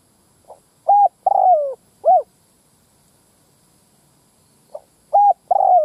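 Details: Spotted dove lure call for attracting males and females: one full phrase of faint note, even coo, long descending burry coo and short coo, then a second phrase begins and is cut off mid-coo.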